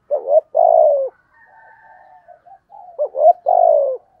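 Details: Urging thổ cục đinh coos from a spotted dove used as a decoy against wild doves: two low two-part phrases, a wavering short note then a long descending croo, with faint whistles between.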